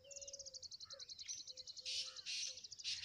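A young tailorbird gives a fast string of very high, thin chips broken by harsher buzzy bursts, over a faint steady low whistle.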